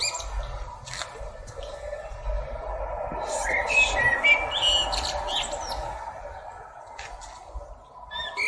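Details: Common blackbird (Turdus merula), song.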